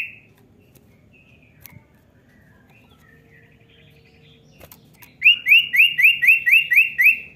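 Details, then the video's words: Common iora call used to prompt a young bird to sing: faint whistles, then a loud run of about eight rising, slurred whistled notes repeated four times a second. "cepat pancing bunyi cipow bahan"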